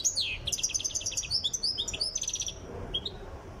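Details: Trainee European goldfinch from Tiaret, Algeria, pours out a rapid string of bright, liquid twitters and buzzy stuttered notes for about two and a half seconds, ending with a single short chip.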